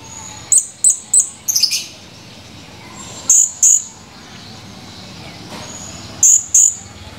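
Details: Male blue-crowned hanging parrot, recorded 17 July 2020, giving sharp, very high, thin chirps in quick pairs and triplets, separated by pauses of a second or more, over a soft background hiss.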